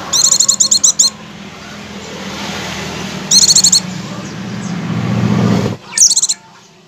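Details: Oriental white-eye (pleci) ngecir-style lure song: three bursts of rapid, high, buzzy chips, each about a second long and spaced a few seconds apart, with a steady engine-like rumble between bursts.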